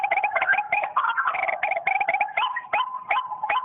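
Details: Phone playback of white-breasted waterhen calls used to lure birds: a dense run of rasping, stuttering croaks that gives way to sharp rising notes repeated at a quick, even pace.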